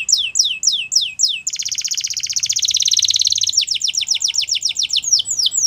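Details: Wild Atlantic canary in morning song: repeated falling whistled sweeps, then a long, loud, rapid rattling trill lasting about two seconds, followed by a brisk series of quick descending notes.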